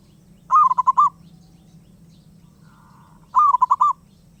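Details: Restless wild zebra dove: two loud rolling coo phrases of rapid pulsed notes nearly three seconds apart, with a faint soft trill in the gap and a low hum beneath.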